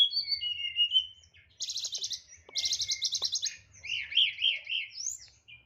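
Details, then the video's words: Caged white-rumped shama singing: clear whistled notes, then two rapid buzzy rattles, followed by a series of rolling up-and-down whistles. "TLEDEKAN NYEKLEK BONGKAR ISIAN"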